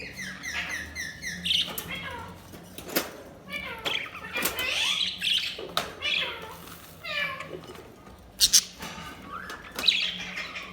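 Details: Budgerigars chattering and chirping: busy mix of squeaky, sliding and clicking notes, with a quick run of rhythmic chirps at the start and sharp calls near the end.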